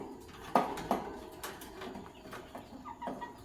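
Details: Sky blue opaline and green opaline lovebirds in the morning give short, sharp, harsh chirps, a few scattered across a few seconds at an uneven pace, over a soft background hiss.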